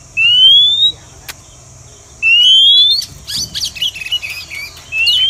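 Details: Lure call of a female Oriental magpie-robin for trapping wild birds. Long upward-sliding whistles are repeated about every two seconds, with a jumble of short chirps and clicks between them.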